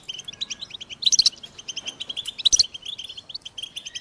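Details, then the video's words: Goldfinches (American goldfinch) twittering in rapid high chirps, with two sharper, louder bursts of notes at about one and two and a half seconds over a constant chattering background. "The Joyful Songs of Goldfinches"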